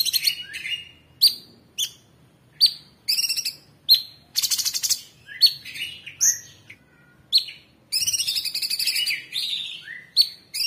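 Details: Orange-bellied Leafbird singing in the 'tembakan' style for training other cage birds: a varied string of sharp descending whistles and dense buzzy trills, with brief silences between phrases over a quiet background.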